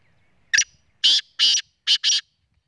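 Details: Black francolin calling: a quick series of five harsh, grating, high-pitched notes, the first short and the last four in two close pairs, over a quiet background.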